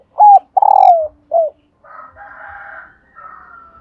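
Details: Female spotted dove call used to urge males into cooing: three low coos, the middle one long and rough with a falling end, followed by a faint, hoarse, higher murmur.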